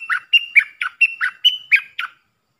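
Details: Puff-throated bulbul decoy recording used to train young hand-reared birds: a continuous string of about nine harsh, nasal, slurred notes, each with a bright squeaky edge, delivered quickly at an even pace over a silent background.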